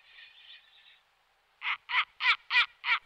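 A snowy owl gives five harsh, barking cackles in quick succession, about three per second, after a brief soft hiss.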